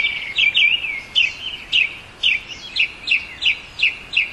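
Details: Northern mockingbird singing a run of short, sharp, downslurred chirps, about a dozen notes spaced roughly every third of a second, clear and loud against a quiet background.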